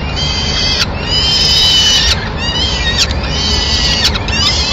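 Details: Peregrine falcon at a Madrid nest, 25 April 2016, as the female brings a pigeon to feed the chicks: harsh, drawn-out screeching in bursts of one to two seconds, over a steady low rumble of city noise.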